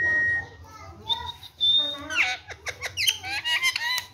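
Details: Indian ringneck parakeet, happy with its chicks, talking in Hindi or Urdu: a clear held whistle, then gliding whistles and a rapid string of choppy, speech-like syllables with bright, clicky edges, in a small room.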